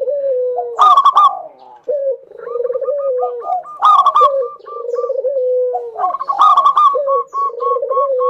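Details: Local zebra dove in full song, played to lure other doves to sing: three cycles of sudden bright, ringing bursts, each followed by hollow, slurred cooing and a train of rapid clipped notes.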